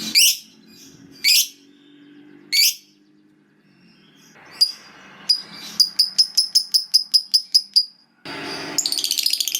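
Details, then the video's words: Lovebird kept indoors: three loud shrill squeaks a second apart, then a quickening run of sharp repeated chirps, ending in a harsh, noisy chattering burst. "Pasti Lovebird Macet Bunyi Langsung Ikut Ngekek Panjang"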